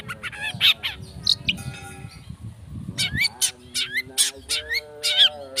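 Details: Speed rapet song of a long-tailed shrike, played as a lure to make others sing: bursts of scratchy clicks and short rising whistles, a quieter gap, then loud quick upslurred notes repeated about twice a second, over a low droning tone.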